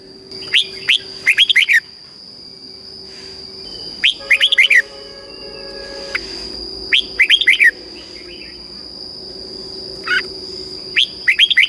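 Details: Red-whiskered bulbul, caged in Thailand, singing southern master-style song used to stimulate birds and teach chicks. Four lively warbled phrases come every few seconds, between them faint calls from other birds, a steady whine and a low hum.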